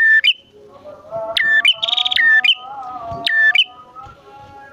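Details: Male and female bar-winged prinias: a few sharp chips and one buzzy rattling burst rise above a sustained low humming tone with whistled overtones.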